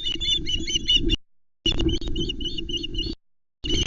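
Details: Osprey chicks on the Loch Arkaig nest, Scotland, 19 July 2020, as an adult delivers a whole trout and siblings squabble over it; rapid high piping whistles in repeated bursts, with low rumbling wind noise beneath and brief silent gaps.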